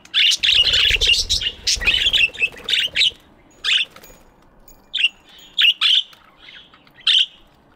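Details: Several budgies chirping together in an aviary in the morning, a dense chattering chorus of scratchy chirps for three seconds, then spaced single chirps, with a soft low rumble early on.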